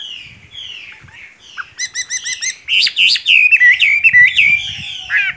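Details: Chinese hwamei in full song. Soft, falling whistles build into a fast burst of rapid repeated notes, then a loud, varied string of rich whistles, slurs and trills.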